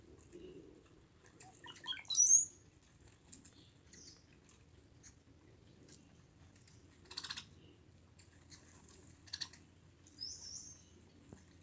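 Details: At a driftwood feeder on south Vancouver Island, British Columbia, a cowbird gives a quick burst of liquid gurgles that climbs into a thin, very high whistle, then short high whistles, with clicks and clatter nearby.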